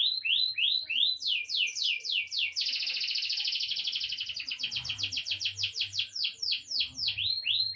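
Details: Eight-month-old grey songbird opens with repeated slurred whistles and breaks into a dense, harsh buzzy trill. It then returns to a fast series of downslurred notes.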